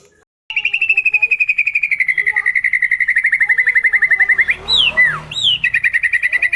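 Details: White-rumped shama singing a long, rapid rattling series of repeated notes at a steady pitch, followed by loud downslurred whistles and a renewed fast trill.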